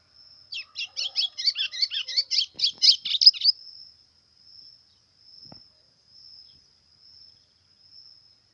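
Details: A brown-plumaged white-throated seedeater singing a lot in the pressão style. It delivers a quick run of about a dozen sharp, buzzy, high chirps over three seconds, then falls quiet. A steady thin high tone runs throughout.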